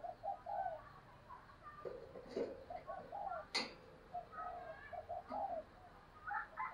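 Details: Spotted dove kept as a decoy bird, calling to lure wild doves: soft, low cooing notes in short clustered phrases, repeated through the recording, with a couple of sharp clicks and faint background noise.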